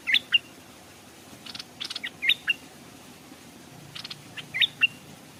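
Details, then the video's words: Stripe-throated bulbul decoy hung at the edge of a stream while wild birds came but did not dare land. Paired bright whistled notes, a short high slur followed by a lower one, repeat about every two seconds, with light rustling between. "เสียงนกต่อดอกแตงEp.171แขวนนกต่อริมห้วยนกมาแต่ไม่กล้าลง(Stripe-throated Bulbul)"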